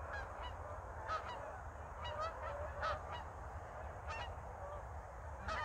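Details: Geese flying overhead during a snowless North Idaho winter: separate honks roughly every half second to one second, some doubled, from a passing flock over a quiet low rumble.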